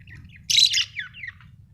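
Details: Budgerigar chirp: a single harsh, buzzy burst followed by softer descending twittering notes over a faint low hum.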